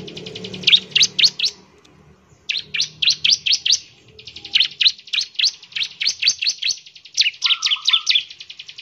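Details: Ciblek semi, or bar-winged prinia, singing to encourage other prinias to sing fast. Sharp high chips arrive in rapid series over a steady buzzing hum, with one lower trill near the end.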